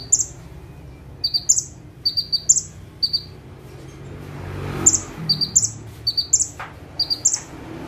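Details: Perched in one spot, a bar-winged prinia delivers full song bursts. Rapid high couplets each end in a sharp rising whistle, with a brief pause in the middle before the phrases resume. A low rumble runs underneath.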